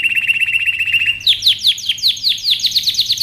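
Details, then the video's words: Canary singing: a fast steady trill of high notes for about a second, then a series of sharp descending sweeping notes repeated roughly three times per second. "It's sounds makes me feel relieved #canary"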